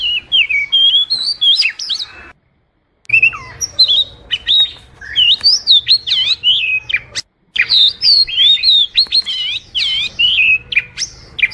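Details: Oriental magpie-robin master song for training birds: fast, dense sequences of looping whistles and sharp chips, broken by two short silent cuts, continuing energetic and varied throughout.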